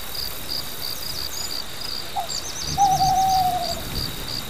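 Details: A Mantanani scops owl on Mantanani Island, Kota Belud, gives a brief low note, then a drawn-out, slightly falling hoot, while a steady, pulsing insect chorus carries on behind it.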